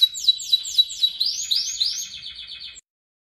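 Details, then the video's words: Canary song used as training song for other birds: sharp downslurred notes repeated four times a second, then arching whistles and a short buzzy trill before silence. "Kumpulan Vidio Kenari Ngerol parah Pas Buat Masteran kesayangan Anda."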